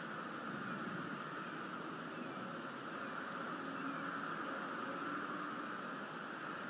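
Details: Even, quiet hiss and hum from an outdoor nest microphone, with no clear calls throughout.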